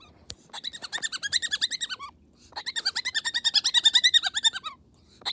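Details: Pet Moluccan cockatoo giving bedtime chatter: two bursts of rapid, raspy, repeated notes, roughly seven per second, each burst lasting about two seconds and separated by a short quiet pause.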